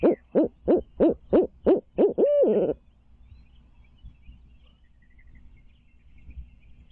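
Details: Nesting barred owl in Midtown Tulsa, recorded on a stream camera in 2019. Seven fast, booming hoots lead into a stretched, rising-then-falling closing hoot, followed by quiet.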